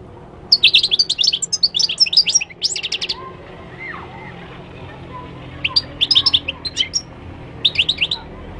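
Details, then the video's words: Moroccan goldfinch singing in Morocco: a long, fast tumbling stream of tinkling high twitters and trills, then two shorter bursts after a pause, over a faint hum. "تغريد الحسون المغربي chant de chardonneret marocain"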